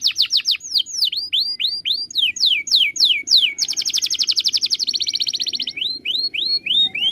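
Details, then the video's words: Canary master song for training birds, varied tours: rapid falling whistled sweeps repeated in series, a long dense rolling trill, a fast buzzy passage, then slower falling slurs. "MASTERAN KENARI SANGAT BAGUS UNTUK BURUNG ANDA."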